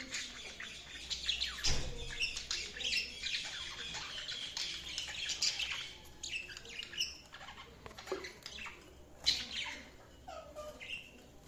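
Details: Budgerigars chirping, a busy mix of scratchy warbles, squeaky chirps and harsh squawks overlapping from several birds, with some thumps and background hiss.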